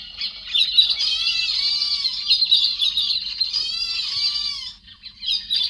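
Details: Héc xoan bird calling in an edited, noise-cleaned recording meant for luring flocks: a near-continuous run of rough, grating squawks rich in overtones, easing briefly near the end before a final burst.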